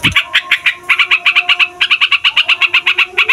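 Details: Fighter yellow-vented bulbul rolling on at length to rouse other songbirds: a steady stream of quick, bright, clipped notes at about six per second, with a soft low tone running underneath and a thump at the start.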